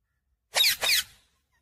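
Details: Talking parrot uttering a quick two-syllable word in a squeaky, nasal voice, the second syllable slightly longer, in an otherwise quiet setting.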